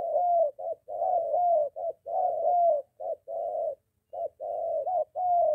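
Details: Spotted dove, a molting captive decoy bird out for training near home, meeting a wild male; low hoarse coos in short-long pairs, repeated steadily with brief gaps, in a quiet setting.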